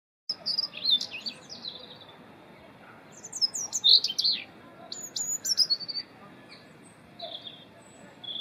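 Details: European robin singing its winter song, loud and melodious; thin high warbled phrases and trills delivered in short bursts with pauses between, some notes sliding up and down, over a faint steady background hiss.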